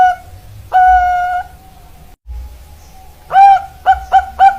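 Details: Zebra dove, local and Bangkok type, singing: a long steady hollow coo, then after a pause a burst of four short rising coos with bright overtones, over a low background hum.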